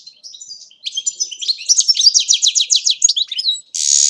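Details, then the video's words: European goldfinch recorded at Agrinio, Greece, singing a fast twittering song of high, tinkling notes that builds into a rapid run of repeated slurred notes, then stops with a short burst of hissy noise. "Karderina (Goldfinch)"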